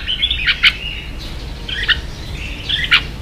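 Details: Vietnamese caged red-whiskered bulbul in a singing contest: three short, sharp, emphatic whistled phrases about a second apart, linked by softer slurred notes.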